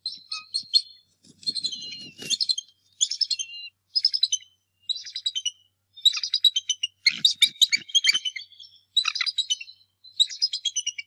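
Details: Bald eagle at the Decorah North Nest on a March 2, 2018 morning, the angry male driving off an intruder: continuous series of rapid, high, staccato chattering bursts, about one every second, with faint low thumps between some.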